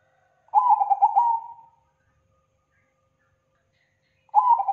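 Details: Perkutut, the zebra dove, giving a thick, loud, clean lure call: one full rapid, burbling cooing phrase that fades at its end, then a long pause before the next phrase begins sharply.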